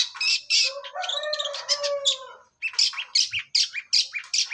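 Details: Long-tailed shrike, young and from the forest, singing ngacor: harsh squawks leading into a chattering tangle with a low steady whistled strand, then rapid rasping notes repeated more than twice a second.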